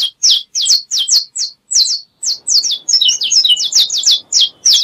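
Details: Saffron finch song of crisp, high, down-sweeping chirps, delivered in quick pairs and runs with short gaps, becoming denser toward the end; faint low background rustle joins midway.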